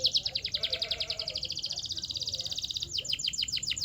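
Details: Canary training song: a rapid, even trill of repeated chirps running for about three seconds, then shifting to a slightly slower series of falling notes.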